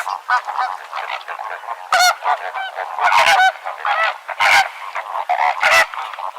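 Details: Flamingo group giving loud nasal, trumpeting honks for social communication; separate harmonic honks rise over a steady murmuring chorus, with the loudest ones near two, three, four and a half and six seconds.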